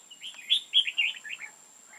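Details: Red-whiskered bulbul used as a decoy during trapping, recorded 5 October 2018, singing to challenge rivals: a quick run of warbled, slurred notes that rise and fall, loudest in the middle, over a steady high electronic whine.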